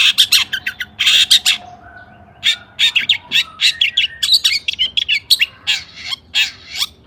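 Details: Long-tailed shrike in an agitated, highly emotional song meant to provoke other shrikes into singing: rapid harsh bursts and chattering notes, high and scratchy, coming in dense clusters about every half second with brief pauses.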